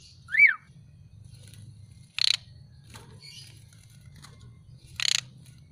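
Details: Black-collared starling right after a bath and sun-drying, giving a single bright up-and-down whistle, then two short harsh rasping bursts about three seconds apart, with quiet scratchy notes between and a low background hum.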